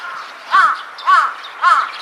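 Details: A large-billed crow perched in a tree gives three hoarse, arched caws about half a second apart, each with a rich harmonic ring, seemingly answering distant companions' calls, over faint background noise.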